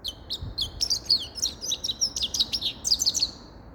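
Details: Grey-crowned goldfinch giving a continuous rapid twitter of high sharp chirps and tinkling trills, steady and lively for nearly four seconds before fading out.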